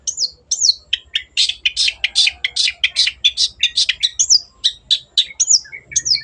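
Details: Cendet, the long-tailed shrike, in full song as a lure for quiet birds: high whistled slurs that fall, then a fast stream of dense, scratchy chattering notes, with the whistled slurs coming back.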